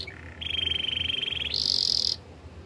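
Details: Canary training song: a steady mid-pitched rolling trill lasting over a second, then switching abruptly to a higher, brighter sustained trill before stopping.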